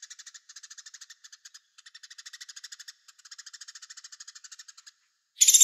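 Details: Velvet-fronted nuthatch giving quiet bursts of rapid chattering notes in short broken series with brief pauses, ending in a sudden loud, shrill high burst.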